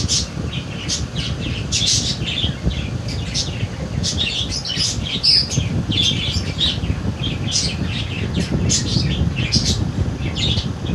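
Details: Baby budgerigars from a 2022 breeding keep up fast, raspy chirping and squawking almost without pause, backed by continuous low-pitched noise.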